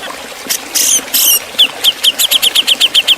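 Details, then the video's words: Cucak jenggot from Java in ngepik beset style, a master recording for training other songbirds: a few scratchy noise bursts, then a fast run of sharp, high, downslurred chip notes over constant hiss. "Guru vokal suara Cucak jenggot jawa ngepik beset tajam"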